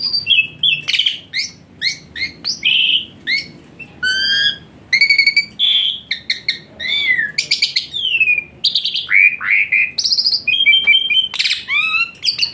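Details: Asian pied starling full varied song used as therapy for a lazy-singing starling; fast mix of clicks, sharp chirps, buzzy notes and clear whistles, packed densely without pause.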